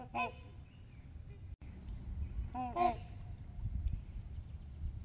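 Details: Low brassy honks from trumpeter swans sharing Horseshoe Lake with geese, recorded from the shore: one short honk at the start, then a doubled honk a few seconds later, with faint thin birdsong and wind.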